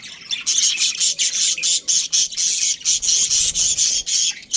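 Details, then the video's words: Breeding pair of Australian budgerigars giving continuous harsh, buzzy chatter, short rasping chirps packed closely together with brief gaps, steady throughout. "Australian budgies breeding pair | Budgies chirping sounds"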